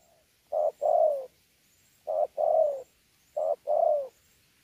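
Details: Wild-caught spotted dove recorded 26 November 2019 at Sa Thầy, Kon Tum, in fighting-style cooing: three well-spaced phrases, each a short soft hoot leading into a longer, slightly falling mellow note.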